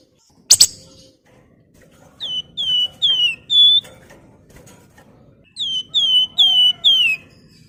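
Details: Flamboyan singing a nyuling song used as a lure for other birds: one sharp harsh burst, then a steady series of clear slurred whistles, each falling at the end, repeated roughly every half second in two runs.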